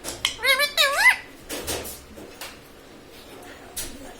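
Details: Green pet parrot speaking a short two-syllable word, high and rising-falling like a squeaky voice, followed by faint room noise and soft clicks.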